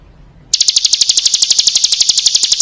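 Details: After brief quiet, a female Bar-winged prinia used as a lure bursts into a fast, even chatter of high, dry ticking notes that continues to the end.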